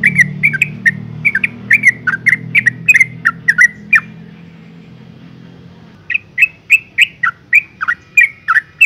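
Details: Yellow-vented bulbul female in breeding condition, calling males: brisk series of bright chirped notes for four seconds, a two-second pause with low background hum, then the rapid chirping resumes.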